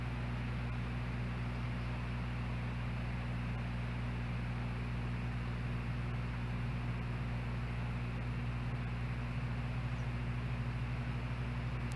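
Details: Steady low hum and broadband hiss fill the whole recording, with no animal calls heard.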